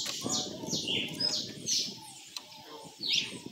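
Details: Red-cowled cardinal singing açoite style, softer whistled slurred notes at a distance, partly masked by steady low background rumble and murmur.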